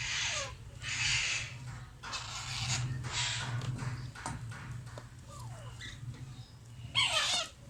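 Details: Alexandrine parakeet chicks begging while being fed: harsh, raspy hissing bursts about a second long, repeated with short gaps, plus a final louder squawk; low steady hum underneath.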